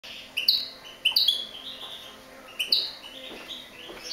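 European goldfinch giving three short bursts of bright, tinkling twitters, high-pitched and about a second apart, over a faint background hiss.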